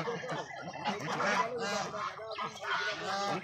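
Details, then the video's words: Farmed Raj ducks calling together, a flock of overlapping nasal honks with harsh, gravelly edges that rise and fall in bursts every half second or so. "Raj duck sound"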